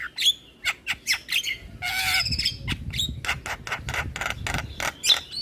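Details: Javan myna (jalak kebo) lure song: a rapid string of short sharp clicks and chips, a long harsh grating burst, then more clipped notes with a couple of thin whistled slurs; some low rumbling sits underneath.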